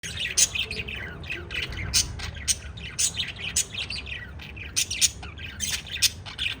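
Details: Pet lovebirds chirping: a busy run of sharp, high squawky chirps and tweets, coming in quick irregular bursts about every half second, with softer twittering between them and a low room rumble underneath.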